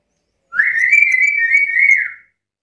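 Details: A chatty black-capped lory holds one long, steady, warbling whistle for nearly two seconds, slightly wavering throughout before trailing off, in a quiet setting.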